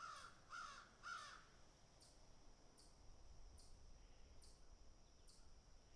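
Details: Crows picking at food while eating give three rough, hoarse caws at the start, then only faint repeated clicking and tapping sounds against a steady hiss.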